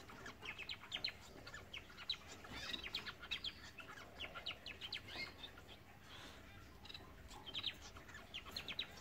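Blue-capped cordon-bleus give thin, high chirps in quick, overlapping bursts, with occasional wing flutters and a low background rumble.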